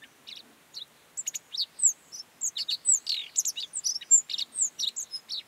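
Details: In the Mongolian Gobi, a Godlewski's bunting gives a hurried run of high, thin notes, starting sparse and building into a dense jumble of chips, downslurred whistles and short trills.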